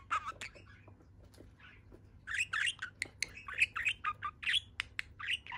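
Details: Happy pet budgerigar on one leg, babbling after a quiet start: a dense stream of chirpy, scratchy syllables and clicks, bright and high, packed together in quick succession.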